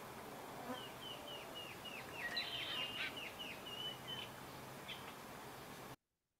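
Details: Red-winged Blackbird in a busy marsh chorus, possibly at Patagonia Lake, Arizona: buzzy, gurgling trills among many repeated, downslurred whistles from other birds, over a steady hiss.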